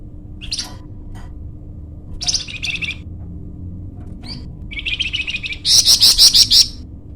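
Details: Flamboyan bird in full gacor voice, used to lure or tutor birds: scattered high chirps and short buzzy phrases building to a loud, rapid series of piercing repeated notes at the end.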